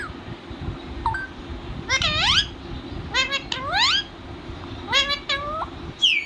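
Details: Talking parrot kept as a pet, producing bursts of strongly harmonic, sweeping, voice-like notes that rise and fall, clustered in quick groups with short pauses, over a constant low background rumble.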